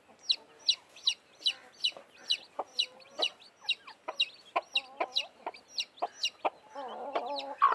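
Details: Just-hatched chicks kept with a blackish hen peep in a steady run, with bright, high, falling notes about every half second, joined near the end by low wavering clucks.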